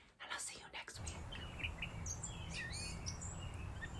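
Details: A Northern Mockingbird outdoors in spring, in May 2020, sings a string of short, varied chirps and whistled phrases copied from other birds, over a steady low rumble, with a brief voice at the start.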